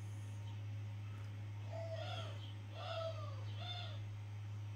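A mourning dove gives three soft, low, hollow coos about a second apart, the first slightly rising, over a steady low electrical hum.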